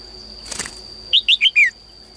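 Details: Caged female bird's morning song, meant to prompt males to sing more; a short rustle like wingbeats, then four bright descending chirps in quick succession, with a steady high whine behind.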